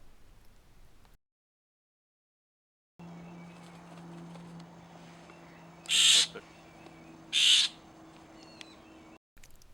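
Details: A Florida scrub-jay gives two harsh, rasping calls about a second and a half apart over a low, steady hum, in the scrub of Lyonia Preserve, Florida, near a small ephemeral wetland.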